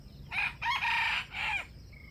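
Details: Wild junglefowl crowing during trapping with a bait bird, rivals competing to crow: a harsh four-part crow of two short notes, a long drawn middle note and a falling final one, followed by a faint thin whistle from another bird.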